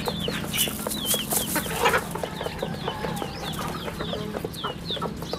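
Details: Chicks on a rural home chicken farm: thin, high peeps that slide downward, repeated in quick, uneven succession over a steady low hum, with soft clucks beneath.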